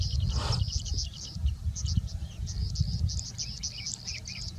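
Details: Singing Bushlark in India in a mimicking song, a thin continuous run of high chirps and buzzy trills, fairly faint under strong low rumbling background noise.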